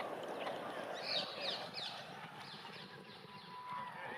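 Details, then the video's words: A newly hatched grey heron chick, the year's first, begs for food in its nest on the Serpentine island, clattering its bill in a fast, uneven run of sharp, ticking, upslurred notes, about three a second, over steady rushing background noise. "The sound of a Grey Heron chick"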